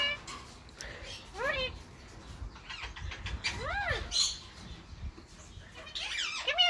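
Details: Spring courtship by a captive male Indian ringneck parakeet, Grey Edged mutation, toward his long-time female. Quiet scratchy chatter is punctuated by several rising-and-falling arched whistles and a burst of rapid chirps at the end.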